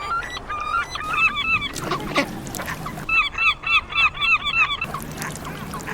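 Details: Swans honking: short, nasal, arched honks, a few at first, then a quick even run of about seven in under two seconds. Loud noisy thumps and rustling come between the honk series.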